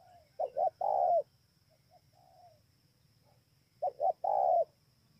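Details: In Bờ Y, Kon Tum, Vietnam, on 28 November 2017, a spotted dove gives two full coo phrases, each two quick notes and a long low note, with quieter muffled notes in the gap between.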